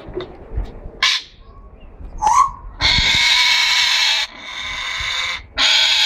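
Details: Harsh, raspy screeches from a breeding pair of Congo African grey parrots, long noisy blasts lasting about a second each, broken by short gaps and a brief lower squawk.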